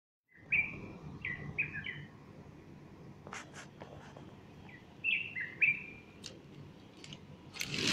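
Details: A bulbul singing on the morning of Sunday 30 August 2015, a female standing beside it fluffing her feathers; two bursts of short liquid whistled phrases, with a few sharp clicks between them and a rushing noise at the end.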